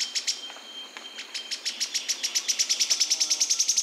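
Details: Yellow-chinned spinetail: a few spaced high notes that speed up into an even, rapid series of sharp, repeated notes.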